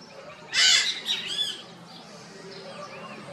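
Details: Red-shouldered macaws visiting a chimney and calling loudly from inside, with echo; one harsh, broad squawk followed by two shorter grating notes, then quieter distant chirps from other birds.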